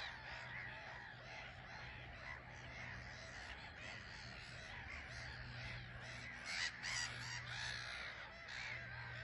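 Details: Black-headed gull colony on an island at Frampton Marsh, birds coming and going under grey skies; a thick wash of raspy calls, with a few louder, sharper cries standing out near the end, plus a low steady hum.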